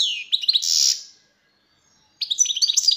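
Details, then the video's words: Goldfinch singing two quick twittering phrases, bright liquid notes and a brief buzzy trill, separated by about a second of silence. "تغريد حسون خلوي والا اورع"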